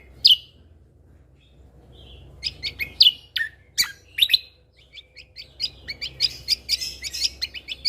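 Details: Lesser green leafbird, kept as a cage bird, giving a single sharp chip, then a lengthening series of crisp chips and whistles speeding into a rapid chattering sequence.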